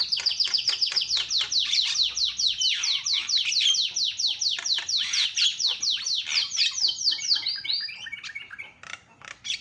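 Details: Loud, chattering Javan myna calling meant to set other mynas calling: a fast train of harsh, down-slurred notes about two per second for six seconds, then breaking into scattered squawks and whistles.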